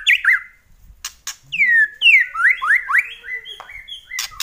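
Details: White-rumped shama singing a loud kretekan song: rich slurred whistles that sweep down and up in quick succession, interrupted by short sharp crackling bursts, with a faint low rising note in the middle.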